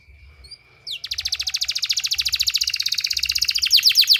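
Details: Canary song used as a therapy sound for training canaries: after a brief rising sweep, a fast trill of evenly repeated buzzy notes runs about three seconds, getting louder toward the end, over a faint steady high tone.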